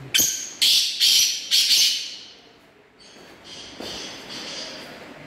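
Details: A Black francolin pair calling: a loud, harsh, grating series of four rasping notes about half a second apart, followed by fainter answering calls.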